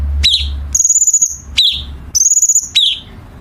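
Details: Chinese bulbul song used to train contest birds: sharp downslurred chips alternate with high rattling buzzes, roughly two phrases per second in a tight back-and-forth pattern.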